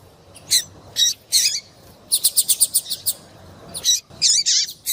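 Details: A female double-collared seedeater calls to prompt a male's singing: separate high chirps, then a quick string of six sharp notes, ending in wavering, descending twitters.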